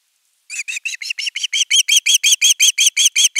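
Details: Osprey at nest 3 on 10 August 2021, calling for fish before a whole fish is brought: about seventeen rapid whistled chirps that swell from soft to loud, almost three each second.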